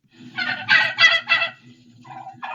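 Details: Turkey gobbling with a rattling quality: a quick burst of harsh, bubbling notes lasting about a second, then softer trailing sounds and a voice.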